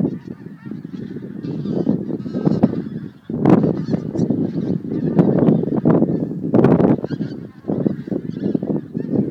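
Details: Departing to feed from Montrose Basin on 12 January 2011, a goose flock keeps up a busy honking chorus, with louder bursts of calls rising over the steady background clamour.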